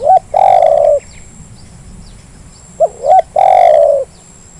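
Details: Spotted dove call used as a lure to get reluctant doves to call: two phrases, each a short hooked coo followed by a long, steady, mellow coo of about a second, separated by a pause; faint background hiss.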